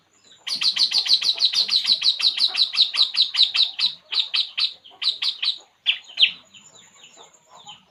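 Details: ['Relaxing puling bird delivers a rapid, even run of bright high chirps that slows into spaced notes, followed by a few softer calls.']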